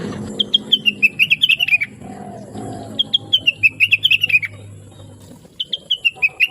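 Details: Blue-winged leafbird, singing chattily and melodiously, used as a master recording for training other songbirds. Quick runs of bright chirped notes fall gently in pitch, in bursts of about a second and a half with short pauses between.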